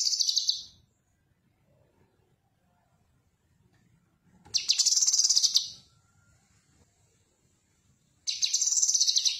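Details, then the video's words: Cucak kinoi leafbird, recorded as a tutor song for training other birds, gives bright, high, rapid chattering phrases, each about a second long, separated by several seconds of quiet, with no other sounds. "Suara Khas Burung Cucak Kinoi"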